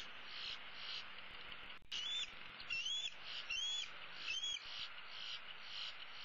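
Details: Older female bald eagle eaglet, roosting in a tree with one leg dangling, on 15 April 2016, calling for her parents to bring food: four thin, high, rising whistled notes about a second apart, fairly faint over steady background hiss.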